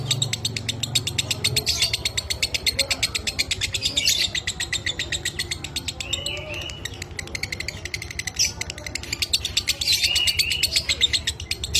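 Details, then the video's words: Pet lovebird singing in the minor kering style, used as a training recording: a long run of rapid, dry, buzzy chattering notes, densely packed and high-pitched, with a few brief whistled slurs and a low steady hum underneath. "Masteran Suara Lovebird Minor Kering"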